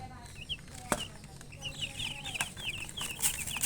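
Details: Young chicks cheeping in a busy run of high, slurred peeps, several overlapping, with sharp clicks and knocks breaking in between.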